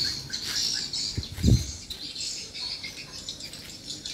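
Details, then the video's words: Swiftlets at a small swiftlet house, responding: dense high twittering chirps overlap throughout, with a couple of low thumps near the middle. "rbw mini walet respon joss"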